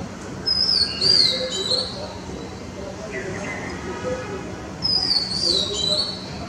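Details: A male Oriental magpie-robin gives two high, sweet whistled phrases, each sliding downward over about a second, spaced four seconds apart against a low steady background rumble.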